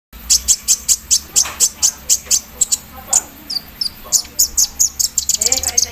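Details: Javan sunbird singing while set out in the morning dew, with an embroidery-machine-like filler in its song: rapid, sharp, very high chips repeated about four times a second in a steady run, with a few thin falling notes.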